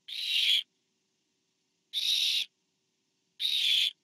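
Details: Barn owl at the nest on 24 September 2015, as a parent delivers food to owlet number four: three harsh, hissing screeches, each about half a second long, spaced roughly 1.5 seconds apart, with silence between.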